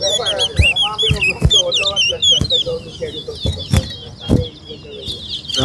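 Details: Chestnut-bellied seed finch, called towa-towa, in a singing competition between West Coast and West Bank birds: dense, fast, jumbled warbling with looping high notes and lower chatter, broken by repeated sharp clacks.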